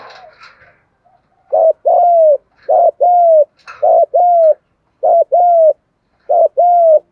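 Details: Spotted dove kept as a lure for wild doves, calling steadily: five regular two-part coos, a brief low note then a drawn-out descending one, spaced roughly a second apart. A short burst of higher chatter comes at the start.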